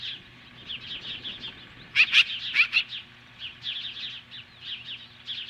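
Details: Osprey standing off magpies from its nest near Lolo, Montana, around 10:26 in the morning, July 2015: urgent high-pitched chirps in running series, with a cluster of louder harsh strident notes in the middle.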